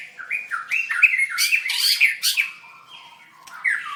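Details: A white-rumped shama sings during a bird singing contest on 7/25/16. Rapid bouncing whistled notes mix with harsher buzzy bursts. A brief lull follows, then a single rising whistle.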